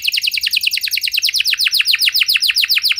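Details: Long-singing canary with a special variation, used as a lure for canaries that have stopped singing; rapid high downslurred notes repeat steadily, spacing out slightly toward the end.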